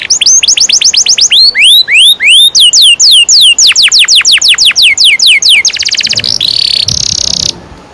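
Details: Canary lure song in the long-rolling style for teaching young canaries: quick repeated whistles, then slower rising and falling swoops, then a fast rattling trill, closing with harsh buzzy bursts before silence.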